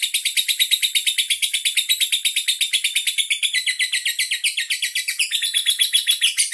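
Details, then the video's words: Andong lovebird, a caged bird from Bandar Lampung, Indonesia, in a sustained song display: evenly pulsed, sharp, squeaky notes running without a break, with slight shifts in pitch toward the end. "Lovebird andong unjuk gigi"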